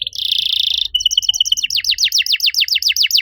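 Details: Domestic canary master song used to coax other canaries that have stopped singing into song: a dense buzzy trill, then a series of rapid high descending sweeps repeated about four per second.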